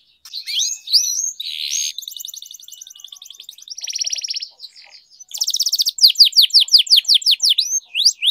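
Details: Canary singing with long rolls for training: varied phrases of twisting whistles, a harsh buzzy burst, a steady high rattle, a lower buzzing trill, then a bright fast trill and sharp downsweeping notes in quick succession.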